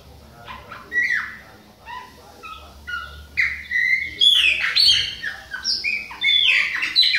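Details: Young Bahian Chopi blackbird in autumn, giving spaced whistled slurs at first, then building into a louder, quicker run of bright descending whistles and chirps toward the end.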